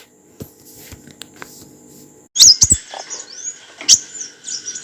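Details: Olive-backed sunbird song used to train cage birds: faint scattered ticks, then a burst of sharp, very high chirps and short whistled slurs in quick succession.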